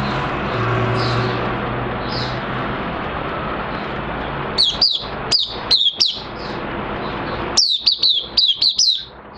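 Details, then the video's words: Oriental white-eye in minor moult, 3 June 2022: after several seconds of steady background rumble, sharp high twittering notes arrive in two quick clusters over the continuing noise. "Mata Puteh Kitaro V1 buka sing in minor moult"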